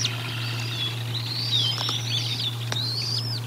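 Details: Bald eagles at the Decorah North nest during feeding, 04 01 2022, nest camera: a drawn-out sequence of thin, wavering high whistles with light clicks and a soft low hum.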